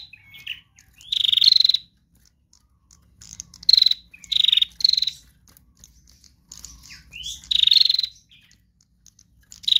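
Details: Singing female prinia in trotol style, used to lure other birds: five dense buzzy clicking bursts at irregular gaps, each with a slightly falling tone, plus a brief rising note.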